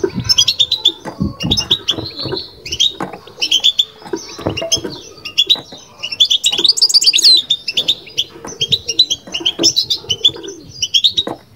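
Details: Long stretch of batbata twittering from a kept European goldfinch: dense runs of bright, high, liquid chirps and buzzy trills in rhythmic bursts, with low thumps in the background.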